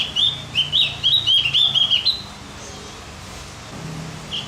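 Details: Javan grey-throated white-eye song for stimulating other birds: a fast, chattering string of high warbled notes for about two seconds, then quiet background with a faint low hum and a last brief chirp.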